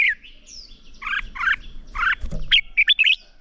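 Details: Red-whiskered bulbul morning fighting song: scattered chirpy warbled notes and a thin descending whistle, with a rustle and knock in the middle and a quick run of bright notes at the end.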